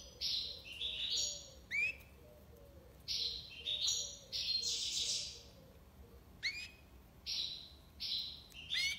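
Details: European goldfinch singing tiwawati libassad: rhythmic groups of high buzzy notes and rising whistled slurs roughly every second, with a longer rich chattering passage midway and faint low soft notes.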